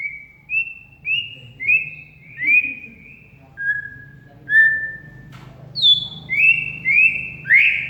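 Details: Oriental magpie-robin lure song for a bird that has stopped singing: rising whistled notes repeated roughly every half second, varying in pitch, with one high sharp note near the end over a low background hum.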